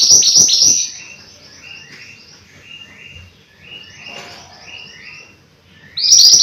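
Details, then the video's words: Mountain white-eye: loud clusters of sharp high chirps open and close the recording, with softer, lower repeated slurred notes trailing quietly in between. "Burung MANTENAN GUNUNG Gacor Pas Untuk Masteran Atau Pancingan"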